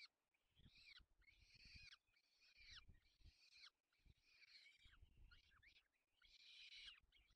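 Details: Peregrine falcon at a nest feeding young, Barycz Valley, Poland, 4 May 2020. Loud, grating, drawn-out wails repeat roughly every second over a steady low rumble of knocks and movement.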